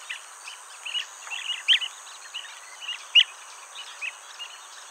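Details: Blue-tailed bee-eaters at their nest hole, where the male brings insects caught mid-air to its mate waiting inside, trade short, rolling chirps, several birds overlapping at an uneven pace over a steady high insect-like hiss.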